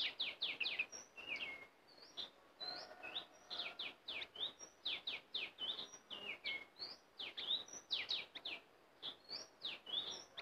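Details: Caged sooty-headed bulbul taken into the forest for the first time as a decoy. It gives rapid chattering bursts of short, sharp notes that sweep up and down, with frequent brief pauses and faint background hiss.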